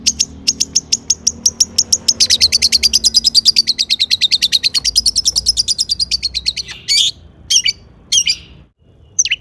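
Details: Long-tailed shrike in lively mimicry-filled song meant to prompt other shrikes to answer. A rapid run of sharp, high chirps, about five a second, rises slightly in pitch, then breaks into a few loud separate calls.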